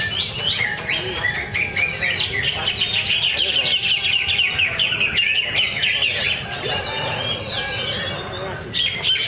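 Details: Greater green leafbird (cucak ijo) singing at a Thursday practice bird-singing contest at Danau Bumi Restu, Cikunir: dense, fast run of bright whistled and chattering phrases, rising and falling, nearly continuous, with other contest birds and faint voices behind.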